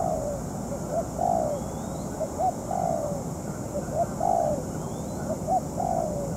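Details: Decoy spotted dove in moult during a trapping session with a wild bird; paired low coos, a short note then a drawn-out falling one, repeating roughly every second and a half, faint high whistles behind.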